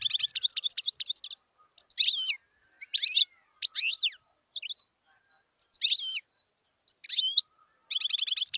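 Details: A wild European goldfinch alternates rapid tinkling trills with scattered single swooping notes and short pauses, the quick twittering returning at the end.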